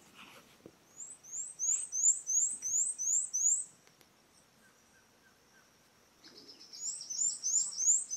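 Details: In Santa Catarina Atlantic Forest, southern Brazil, on a sunny morning, a male Fawn-breasted Tanager sings from its perch among a fruit-feeding tanager flock: very high, thin, sweeping notes, about three a second, in two bursts; faint calls from other birds.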